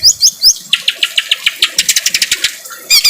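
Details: Greater green leafbird in harsh voice, recorded with rain for tutoring birds: quick high squeaky slurs, then a string of separate clipped harsh chips speeding up, ending in a scratchy burst.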